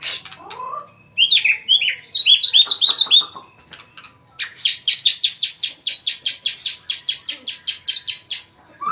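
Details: Magpie-robin singing a rich, varied song: sweeping whistled and buzzy phrases, then a fast run of about twenty sharp, high repeated notes. A brief low whistle follows at the end.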